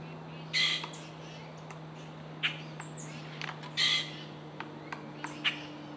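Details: Pileated woodpecker in Corkscrew Swamp, Florida, gives two loud, harsh, nasal calls about three seconds apart, with shorter sharp notes between, over a steady low hum.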